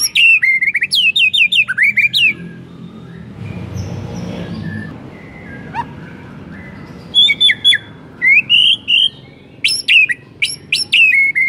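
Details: Shama bait song meant to set other shamas singing, with fast bursts of sharp repeated notes and curving whistles, a quieter pause with a few soft notes in the middle, then lively phrases again.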